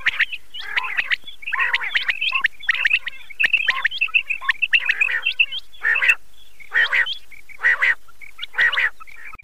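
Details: Common quail calling, a recording used to lure quail for hunting: nasal, buzzy bursts, crowded together at first, then spaced about a second apart; no other sounds stand out.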